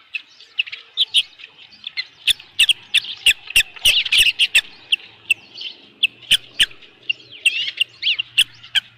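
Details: Evening osprey chatter at a ranch nest, July 15 2018, when a headless fish is brought in: insistent high chirps about three per second, punctuated by loud sharp taps, with a faint low hum beneath.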